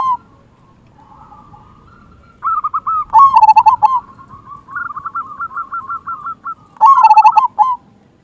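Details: Local zebra dove in frequent song with a big 'kung' voice, used as a lure to make other zebra doves sing: soft low coos, then bursts of quick, bubbly, rolling notes around a mid pitch, with two louder, richer clusters.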